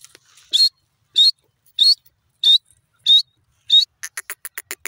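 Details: Francolin known locally as dakhni teetar, uttering six harsh, buzzy call notes at a steady rhythm of roughly two per second, followed by a quick run of short clicking pulses.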